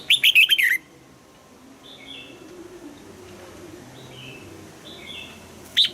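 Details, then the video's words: Red-whiskered bulbul giving a double-note 'old forest' style song for morning-song training: one quick burst of sharp, falling whistled notes at the start, then faint distant warbling notes and a final short chirp. "Luyện giọng cho chào mào hót sáng, ép chào mào hót âm kép già rừng hay tuyệt!"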